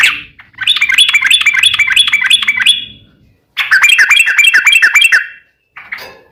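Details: Sooty-headed bulbul delivering a long chattering trill to prompt other bulbuls to sing. Two bursts of fast repeated bright notes, each a couple of seconds long, separated by a clear pause.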